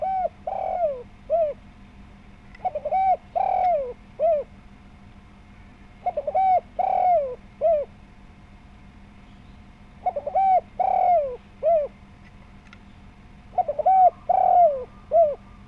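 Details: Spotted dove calling persistently as a lure to make other doves answer: a hollow, mellow three-part cooing phrase with a falling middle note, repeated five times about every three to four seconds, over a faint steady hum.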